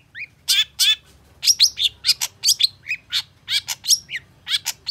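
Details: Long-tailed shrike in excited song toward a rival: harsh buzzy notes, rapid scratchy chatters and occasional clean whistles delivered in quick succession.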